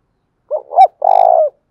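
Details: Spotted dove cooing strongly as a lure for other birds, phrased as two clipped notes and a long tremulous coo that drops slightly at the end; no background noise.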